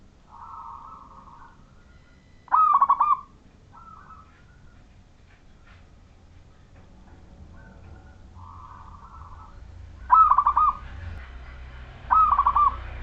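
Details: Zebra dove of the local Majapahit type singing to set off other doves: purring rolled coos, each followed by a short bright cluster of clipped notes, repeated with long quiet gaps.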